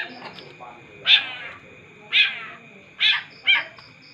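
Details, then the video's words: Long-tailed shrike giving four loud, harsh, rasping notes spaced about a second apart, each a short scratchy burst, over a quiet background with faint murmuring. "cendet gacor ga ada ampun bikin satu kampung kumpul"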